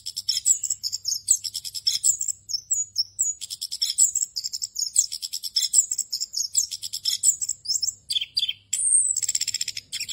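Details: Rolling 'ngerol' song of an orange-headed thrush, used for training other caged thrushes: dense high twittering with quick up-and-down slurred notes, short gaps, and a long clear whistled phrase near the end.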